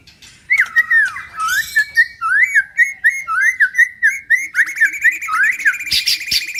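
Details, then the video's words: Male white-rumped shama song of clear whistled notes that swoop up and down, repeated about once a second in varied phrases, mixed with high buzzy chatter and a few sharp clicks near the end. "Suara Murai Batu bikin Cepat Nyaut anti Mental Drop"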